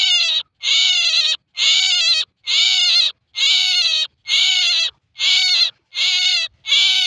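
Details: A male common myna gives harsh, nasal, rasping squawks, about nine in a row at a steady pace of roughly one a second, each slightly arched in pitch.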